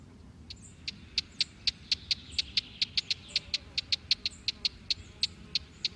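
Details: Young white-eye taking food, a greedy chick eating a lot. Short sharp high notes repeat steadily about four times a second throughout, with faint higher peeps between them over a low rumble.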